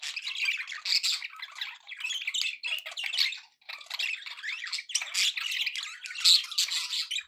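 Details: Pet budgies in cheerful chatter, a loud, unbroken scratchy warble with fast chirps and squawks that pauses only briefly once.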